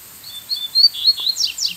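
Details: Brief whistled phrase from a distant wild brown-plumaged Double-collared Seedeater answering a decoy: several high, thin, slightly wavering notes, then two quick descending slurs.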